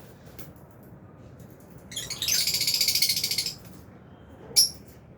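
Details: Aviary lovebirds, albino and Fisher's, at mealtime; a rapid, rattling high chatter lasting about a second and a half, followed by one sharp single chirp.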